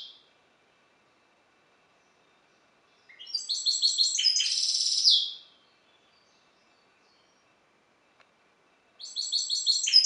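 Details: Captive-bred balcanica goldfinch hybrid gives a bright twittering phrase with a buzzy middle, followed by about three seconds of silence before the next high, chirping phrase begins.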